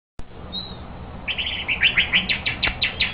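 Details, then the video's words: White-rumped shama singing, a faint hissing note early on, then from about one second a rapid series of bright, buzzy, repeated high notes, roughly three per second, over a low steady background hum. "White-rumped shama bird sing very well"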